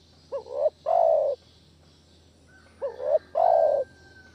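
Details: Spotted dove cooing as a lure for trapping doves. There are two paired phrases about two and a half seconds apart, each a brief hooked note followed by a drawn-out, full, gently falling coo. A thin steady tone runs through the second half.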